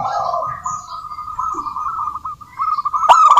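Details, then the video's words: Local zebra dove in full song: a long, even, purring coo near one pitch that ends in a sharp click and a burst of quick notes. Faint high chirps from other birds sound in the background. "suara burung perkutut lokal gacor COCOK untuk pancingan perkutut agar bunyi"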